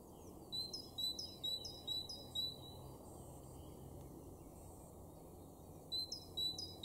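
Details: Great tit in a garden in Weener, East Frisia, far northwest Germany, April 2023: bright two-note phrases, a high note then a lower whistled note, repeated quickly in a run, a pause, then the phrases resume, over a steady low rumble.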